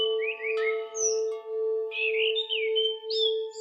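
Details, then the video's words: Short stretch of Orange-headed thrush song for training silent birds: slurred descending whistles, a high thin note, then a warbled phrase climbing higher, all over a loud steady throbbing tone. "TERAPI ANIS MERAH"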